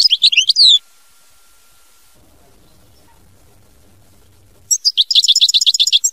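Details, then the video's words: European goldfinch song, mama binette style: a rapid twittering phrase of sweeping notes opens, silence follows, then a fast, even series of high, tinkling repeated notes closes. "Chant Chardonneret mama binette"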